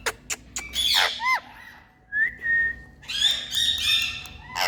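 A parrot gives harsh squawks and sharp whistled notes, with a steady rising-then-flat whistle in the middle and a burst of chattering, layered calls at the end.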